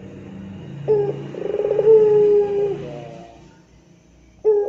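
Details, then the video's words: Long-cooing puter pelung dove giving a rintihan (moaning) coo: a pulsed, stuttering opening that settles into a steady low drawn-out tone and ends in softer lower notes. A second coo begins at the end. Faint low hum underneath. "Masteran Rintihan Puter Pelung Gacor Istimewa Bikin Puter jadi Rajin bunyi"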